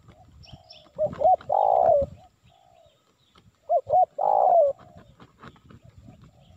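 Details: Spotted dove lure call from Indonesia, used to attract wild birds: two phrases, each two short hooked notes followed by a long, loud, slightly falling coo, with soft faint cooing between them.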